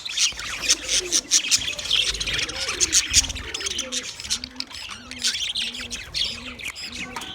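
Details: Budgies in steady, busy chatter of high, rasping chirps and squeaky notes. A soft, low coo-like note repeats roughly twice a second in the background.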